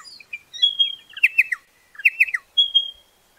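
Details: Pardalote giving high, thin chirps and short whistled notes, with a long level whistle at the start and end and two bursts of quick descending double notes in between; quiet background.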